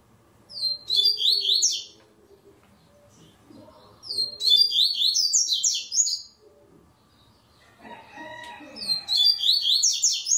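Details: Double-collared seedeater entered in an online tournament's third stage, recorded in Ribeirão Preto, São Paulo, Brazil, repeats a high, fast chattering phrase of sweeping notes three times, each lasting about one and a half seconds, with faint clatter between phrases.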